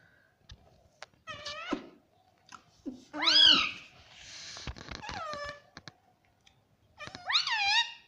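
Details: Indoor pet rose-ringed parakeet, described as a talking bird, making scattered clicks then a few loud arching screeches, one long and drawn out, in a quiet room.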